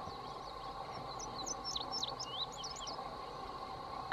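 An Indigo Bunting sings a quick, high run of paired, sweeping notes lasting about two seconds, over a steady background hum.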